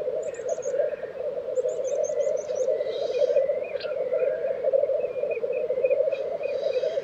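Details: Black grouse lek, Tiveden, Sweden, April 2023. A dense, low bubbling chorus is overlaid by thin, high repeated whistled notes in quick series from another bird, plus softer chirps.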